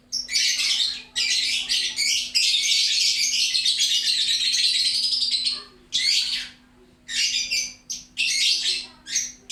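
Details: Lovebird chattering loudly and busily: long bursts of harsh, buzzy, high-pitched twittering, broken by short pauses, with a faint steady hum beneath.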